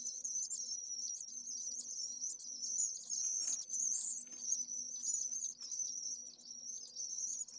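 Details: Pallid swift nest in Jerez de la Frontera's heat island, one chick, midday on 25 August amid a heatwave above 44°C. A piercing, rippling trill sounds continuously in short pulses roughly every second, over a faint low hum.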